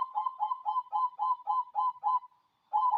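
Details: Zebra dove, local cemani type, delivering a rapid string of about eight short, looping coos in two seconds, a brief pause, then the run restarting; manggung singing.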